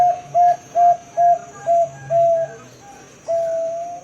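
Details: Long-voiced Bangkok 'ngerot' perkutut, the zebra dove, sings five rounded, whistle-like coos at a brisk, even pace, then pauses before one long sustained note; a low background hum runs throughout.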